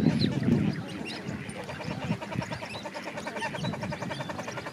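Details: Common shelduck during parenting behaviour; a fast series of nasal, harmonic calls, roughly two per second, runs through the recording over a low, rumbling background.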